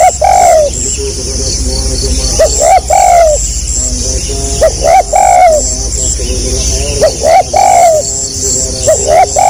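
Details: Spotted dove (tekukur) singing steadily in the gagap rapat selang nguku style. Four phrases of stuttered short notes each end in a longer soft coo, accompanied by persistent high insect whine and low rumble.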